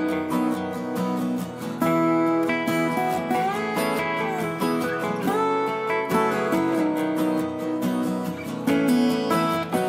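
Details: Strummed acoustic guitar music fills the whole stretch, with steady plucked chords and melody lines; no animal voice is heard.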